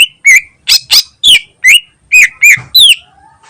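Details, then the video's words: Cucak ijo, the greater green leafbird, in lively ngentrok song used as a lure: loud clear whistled chirps, some rising and some dipping, delivered in a fast irregular string of about ten notes. "Burung Cucak Ijo Gacor Ngentrok Bagus Buat Pancingan"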